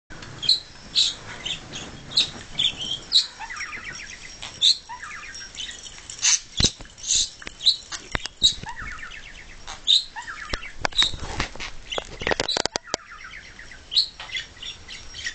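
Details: A budgerigar, playing with a ball, gives bright, high chirps and short warbling bursts, with a few sharp knocks between.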